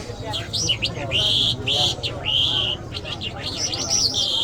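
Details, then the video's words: Iranian lark (jal), Mashhadi mast style, singing clear sustained whistles and bright slurred notes with short pauses between phrases, while music and a low hum play underneath. "Jal Birds Iranians Lark Sounds"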